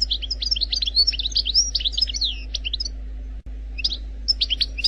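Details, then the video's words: Algerian goldfinch in wild song: lively twittering with sweeping downward-slurred whistles and clipped chirps for about three seconds, a short pause, then a few more bright notes, with a faint background hum. "لغة الحسون الجزائري الخلوي بدون اخطاء Chant Chardonneret Algerie"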